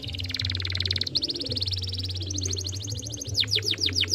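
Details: Young canary song used as a singing lure: steady rapid trills stepping up in pitch, ending in falling chip notes, with low humming background.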